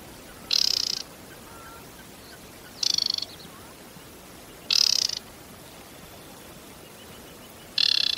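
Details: Aquatic warbler (Acrocephalus paludicola) song: short, high, dry chattering bursts of about half a second, repeated every two to three seconds against a quiet background.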